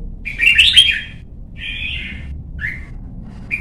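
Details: Young red-whiskered bulbuls in Vietnam being trained to sing well for competition: a quick rich warble opens, followed by a steady buzzy phrase and two short clipped notes, over faint low rumble.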